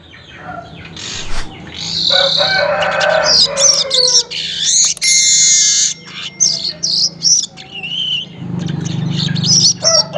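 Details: Early-morning weaver, recorded about 5:40, pouring out rapid high buzzy and scratchy notes in quick succession while a rooster crows nearby and a low hum runs underneath.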